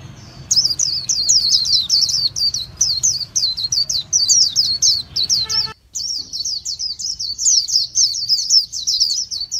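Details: Long, energetic white-eye song: a rapid stream of high, bright, tumbling chirps and warbles, briefly broken by a sharp cut before continuing just as fast.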